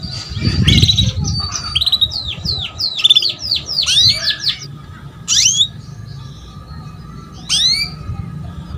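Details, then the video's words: Female canary calling to lure a male into singing: a run of short rising and falling chirps around 4k, then sharp downward-sweeping notes with gaps, over low background rumble. "KENARI BETINA MEMANCING JANTAN || PANCINGAN KENARI PAUD AGAR BUNYI"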